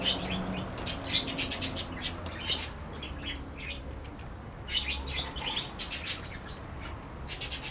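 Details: Parakeets in a birdhouse chatter in quick bursts of high, scratchy chirps and squeaks, with brief wing flutters and a low background hum.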